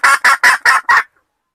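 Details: Domestic hen giving five loud, harsh, broadband clucks in quick succession, each about a fifth of a second long, then falling silent.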